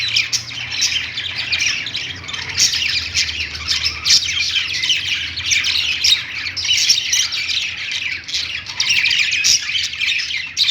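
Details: Several budgerigars (parakeets) in a pet store sing on a perch, producing a steady, busy mass of high chattering chirps and scratchy squawks with sharp clicks scattered through, over a soft low background hum.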